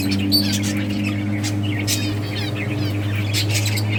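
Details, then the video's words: Budgies in a breeding colony twitter while playing: short buzzy chirps and brief warbled phrases come in uneven bursts over a loud, constant low hum. "Budgies playing and chirping"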